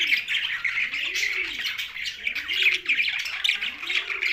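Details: Pet budgerigars sharing space with a parrot in Larkana, Sindh keep up busy high twittering and chirps. Beneath them runs a low, soft, rising-and-falling cooing note about every 1.2 seconds.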